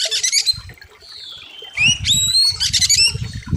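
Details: Oriental magpie-robin on a master recording for training birds: dense harsh buzzy bursts, a long flat whistle and two clear rising whistles, with low thumping noise underneath.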